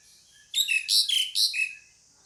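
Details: A single short burst of three loud, rasping pied myna notes, each sliding down into a brief whistled tail, in a quiet setting.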